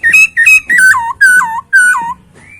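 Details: Masked laughingthrush song from a kept bird: five loud, ringing whistled notes spaced about a third of a second apart, each holding steady and then dropping in pitch, with faint background hum.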